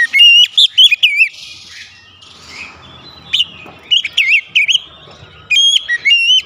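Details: Oriental magpie-robin (kacer) singing to stimulate other birds: loud rolling whistled notes and chips at the start, softer scattered phrases in the middle, then a strong whistled burst at the end.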